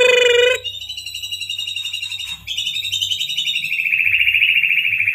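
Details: A captive white-rumped shama from Pasuruan, bought as a juvenile, gives a brief rich note, then a long, fast, high trill of rapid pulses imitating a lovebird's long chatter, over a faint low hum.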